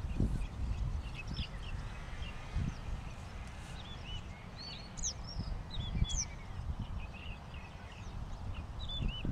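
Several Oriental Pratincoles give short, sharp, chirping calls scattered across the clip over heavy low wind rumble.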